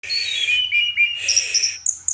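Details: Orange-headed thrush singing at night: a rich run of varied whistled phrases, sliding notes and mimic-like warbles that sweep between mid and high pitches, ending in sharp high squeaky notes.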